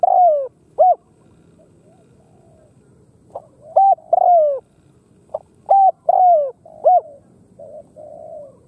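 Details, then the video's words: A Khmer spotted dove delivers low hooted coos, a long falling note followed by short arched ones, repeating the phrase twice more after pauses, ending with soft flat murmurs. "Khmer Spotted Dove Sound លលកខ្មែរសម្លេង"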